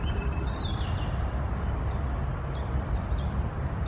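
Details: Common chaffinch singing: a faint series of short, high, repeated notes, each slurring downward, given in quick succession and running to the end, over a strong steady low-pitched background rumble.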